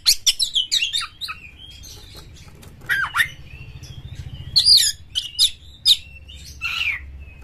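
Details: Aggressive kacer used to stimulate singing gives busy clusters of chirps and harsh notes, a quieter middle section, then loud sharp whistled notes, with a low rumble underneath.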